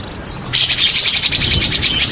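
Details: White-rumped shama song meant to provoke other shamas into singing: after a quiet start, a fast harsh rattling trill of evenly pulsed notes with thin high whistles threaded through it.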